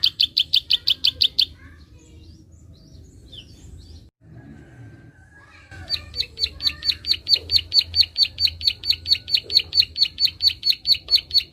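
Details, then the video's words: 'Klik' call of a prinia, used to stimulate untrained birds: a short burst of high clicking notes, several seconds of near quiet with scattered faint chirps, then a long steady run of sharp clicks that grows louder. "Prenjak Klik gacor ampuh merangsang burung bahan"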